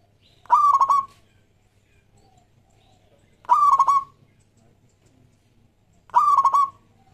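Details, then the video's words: Zebra dove of a local strain singing to attract other doves: three rapid rattling coo phrases about three seconds apart, each opening with a rising note and ending in a short trill, with a low hum behind. "Perkutut Lokal Gacor JAGO PIKAT"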